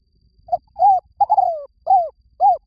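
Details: Lure call of a spotted dove: five low, hollow coos spread over about two seconds. A short opening note is followed by arched notes, including a long falling middle croo, and the phrase ends on two rounded coos. The setting is otherwise silent.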